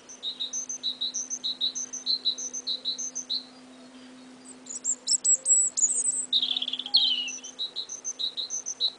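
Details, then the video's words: Early spring song from two small birds: a regular run of high, clipped paired notes, a pause, then a louder, tumbling twittered phrase with slurred whistles before the paired notes return. "Two Little Spring Birds singing away!"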